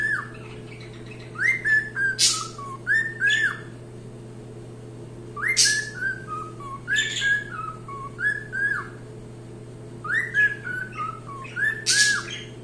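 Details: Cockatiel repeating a similar song phrase three times, about every four seconds. Each phrase has falling whistled notes broken by a rough chirp, with quiet gaps between phrases and a constant low hum.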